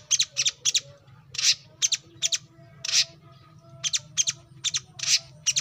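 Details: Coconut hummingbird (kolibri kelapa, manggar, wiceh) song used as training material for songbirds: sharp, high, scratchy chips in quick doubles and singles, with faint tonal background hum.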